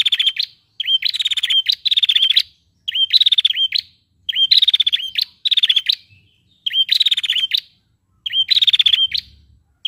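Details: Female prinia calling, used to stimulate males into singing: bright chirping bursts, each a short upslurred note followed by a rapid rattling trill of buzzy notes, repeated in quick succession about twice a second, clean background.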